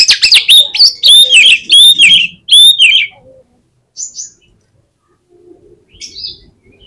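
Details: Oriental magpie-robin singing to provoke rival magpie-robins: rapid, loud sequences of swooping whistles and crisp chirps for about three seconds, followed by quiet with a few soft, distant high notes.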